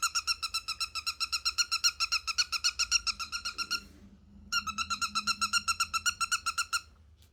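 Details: Indoor pet cockatiel giving fast, rhythmic squeaking calls in two long bursts, about four evenly spaced creaky pulses per second, with a brief pause between the bursts.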